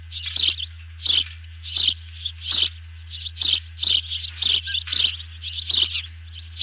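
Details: At an osprey nest on camera, evening of 18 June 2020, while two birds take a large meal, shrill high whistled chirps repeat steadily about every half second to second, with a low background hum.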